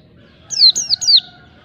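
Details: Oriental white-eye in wild-type 'ngalas' song used to provoke rivals: a brief run of three high, clear whistled notes, each sliding steeply downward, with a faint steady lower tone underneath.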